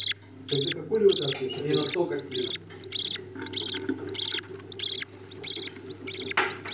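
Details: Budgerigar chicks being fed by their parents give a long series of about eleven scratchy, buzzy begging calls, roughly one every half second, over a soft low murmur and a steady hum.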